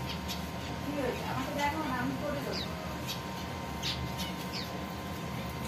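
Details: Pet zebra finches building their nests; one gives brief, high, nasal chirps a few times over several seconds, under a soft murmur like a voice and a steady electrical hum.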